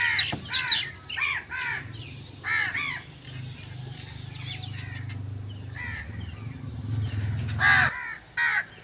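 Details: Crow cawing in quick harsh pairs and triplets, then single caws after pauses, over a steady low hum and a brief sharp click at the start.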